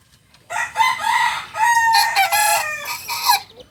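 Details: Two-month-old Kokok Balenggek chick, a singing chicken breed farmed across West Sumatra and first from Solok. It gives a loud, broken crow of four segments, each harmonic and slightly wavering, lasting about three seconds.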